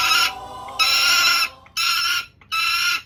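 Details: A peregrine falcon kept for falconry keeps calling while hooded. There are four loud, raspy, screeching calls, each about half a second to a second long, separated by short pauses.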